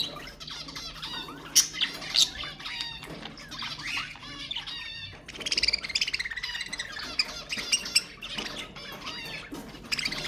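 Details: Stimulating budgerigar chatter: overlapping scratchy warbles and squeaks, a pause near the middle, then a long buzzy trilled stretch of rapid pulsed notes mixed with high chirps.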